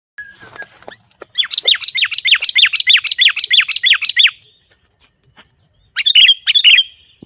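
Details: Sooty-headed bulbul song meant to lure wild bulbuls closer: a fast run of about a dozen identical sharp, swooping notes, a pause, then a short burst of the same notes, with a steady high electronic tone behind.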